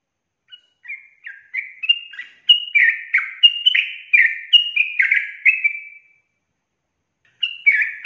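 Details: Sooty-headed bulbul in a ropel song: a long run of quick, slurred whistles that swells and stops, then picks up again after a short pause.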